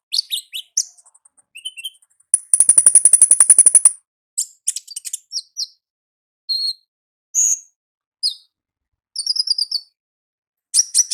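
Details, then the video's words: Olive-backed sunbird in the wild with a varied ngalas song. Sharp, high chirps give way to a long, rapid, buzzy trill lasting over a second, then scattered bright tweets and short trilled phrases. "Suara Asli Ngalas Konin Ninja di Alam Liar"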